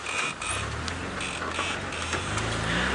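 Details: Engine hum and rattling of a moving vehicle with no animal sound.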